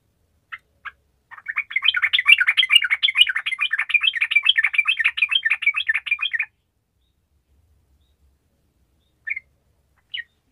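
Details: Sooty-headed bulbul in vigorous, continuous song, played to prompt reluctant bulbuls to sing: a dense run of bubbly, chattering notes lasting about five seconds, followed by quiet with a few short isolated chirps near the end.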